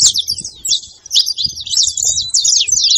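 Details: Saffron finch song used to stir a quiet bird into singing: dense, overlapping high chirps and sharp downslurred notes run almost without pause, with a short dip near one second.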